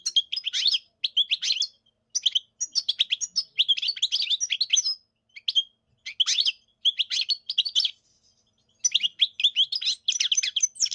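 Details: European goldfinch singing a long sequence of fast, high, jangling twitters and buzzes in clustered phrases, with pauses of up to a second between runs, steady and close without other noises.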